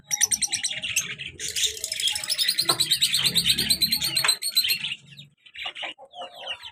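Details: Two active pet lovebirds, a colour male and a black-mask female; fast, continuous buzzy chattering trills of rapid repeated high squeaks, easing into a few separate chirps at the end.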